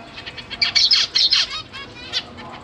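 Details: Zebra finches in a large cage, parents feeding newly fledged young, September 2023; a brief burst of buzzy, high chirps in the middle, a single note later, otherwise faint hiss.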